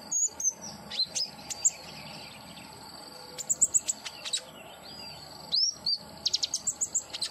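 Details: Therapy recording of common iora song meant to make a caged bird sing: sharp upslurred whistles and brief twittering notes, with a long steady high tone in places, then a fast run of clipped chirps near the end.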